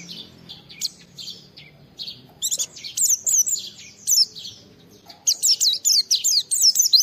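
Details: Oriental white-eye (pleci) in full song, used to lure other white-eyes into singing: soft, scattered high chips at first, then rapid bright bursts of sliding, looping whistles, broken by a short gap before a final energetic run.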